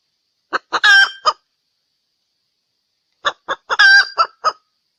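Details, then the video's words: Female Sumatran junglefowl lure call: two bursts, each of a few soft clucks leading into a loud, ringing drawn note and a final cluck. "SUARA PEMIKAT TERBAIK AYAM HUTAN BETINA SUMATERA"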